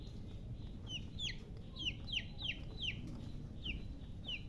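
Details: Chicks give a quick series of shrill falling peeps, close together and somewhat evenly spaced, set against a constant low-pitched hum.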